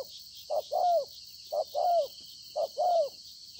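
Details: Recently caught wild spotted dove cooing on 26 September 2020: three paired phrases of a short hollow note and a longer downward-sliding coo, about one each second, with steady insect-like high hiss throughout.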